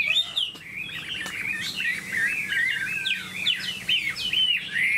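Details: Caged, tamed Chinese hwamei singing a flowing string of whistled, wavering notes, each phrase dipping and rising, repeated in a brisk, continuous stream.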